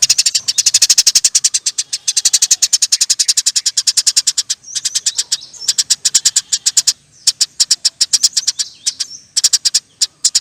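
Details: Eurasian tree sparrow in a long, nearly continuous 'nyerecet' chattering trill, with dense rapid high chips pouring out for seconds at a time and only brief breaks.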